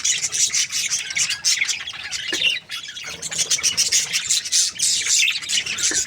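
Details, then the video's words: Budgies, a contented breeding pair, keep up a fizzing chatter of fast high chirps and clicks, with a brief lull near the middle before resuming. "Happy budgies chirping sounds"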